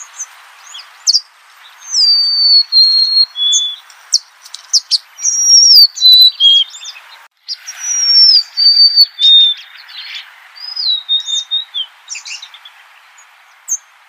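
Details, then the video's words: Golden-crowned sparrow repeating plaintive, high whistled phrases that step downward, several in sequence, with busy chirping and clicking from other birds around them. "Bird Natural Sound.Golden crowned Sparrow."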